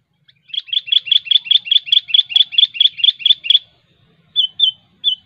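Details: Sooty-headed bulbul (kutilang) calling sharply at rivals: a fast even series of about thirteen clipped chirps in three seconds, then a pause and three spaced single chirps, all bright and high.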